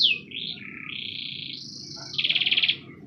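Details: Canary singing for playback to young or silent canaries: a sharp falling note, then wavering whistled tones that rise into a long high held note, ending in a rapid pulsed trill, over a faint low rumble.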